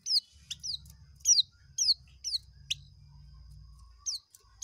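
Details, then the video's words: Oriental white-eye giving ngekek song: high, thin down-slurred notes repeated about twice a second in uneven groups, with a quiet low background rumble. "Burung pleci ngekek"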